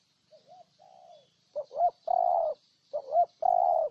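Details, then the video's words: Spotted dove of Ninh Thuận, Vietnam: quiet, low lead-in coos, then two loud repeated phrases, each a brief note, a rising hooked coo and a long steady husky coo, in a clean, quiet setting. "Cu Gáy Ninh Thuận"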